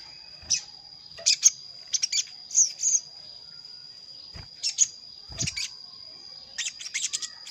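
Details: Wild-bird lure of a sogon calling a rival: scattered sharp high chirps and short double and triple notes at irregular intervals, with a thin constant high whine throughout.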